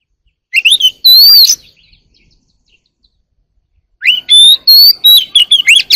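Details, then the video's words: Early-morning wild Oriental magpie-robin: a phrase opening with quick chirps and a drawn-out, wavering whistle, then after a pause a longer, busier burst of varied whistled notes and sharp chips. "kacer alam | warbler sings early in the morning || Chòe than hót đấu chim rừng quá sung"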